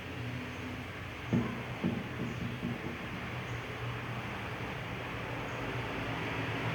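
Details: Low mechanical hum and hiss with a couple of soft thumps, and no bird voice.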